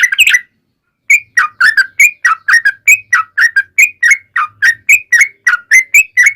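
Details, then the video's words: Yellow-vented bulbul lure song for prompting other bulbuls to reply: a brief burst, a one-second pause, then a steady fast series of bubbly whistled notes, several per second, each slurred up or down. "SUARA trucukan gacor ROPEL PANJANG pancingan trucukan agar bunyi JADIKAN burung trucuk gacor NYAUT"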